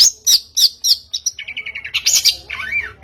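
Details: Long-tailed shrike lure song meant to get birds singing: rapid high chirps, then a fast run of short buzzy notes, ending in a swooping whistled phrase; dense, energetic delivery.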